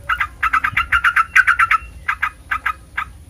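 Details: A fast series of bubbly Sooty-headed bulbul notes, sung to provoke other bulbuls to sing back, slowing into a few spaced single notes toward the end.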